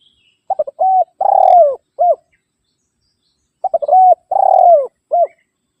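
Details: Two phrases of a spotted dove calling out rivals, used for luring. Each is a low stuttered start, a steady coo, a long vibrating coo dropping in pitch, and a short closing note.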